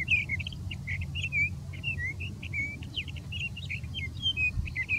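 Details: A Sage Thrasher sings from dense big sagebrush near Silver City, Lewis and Clark County, Montana: a fast, unbroken warble of varied, slurred and trilled notes over a low rumble of wind, with a vesper sparrow singing in the background.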